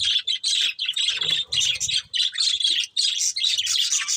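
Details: Breeding pair of budgerigars chirping, a near-continuous stream of rapid, scratchy high chirps and chatter in short bursts with brief gaps, faint low thumps beneath.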